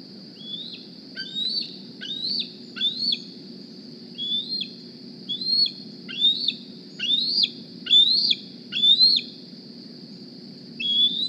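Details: Bald eagle juvenile of the 2020 Decorah season calling at the nest while looking for a meal: about thirteen shrill rising squeals delivered in uneven bursts with short pauses, each one dropping sharply at the end.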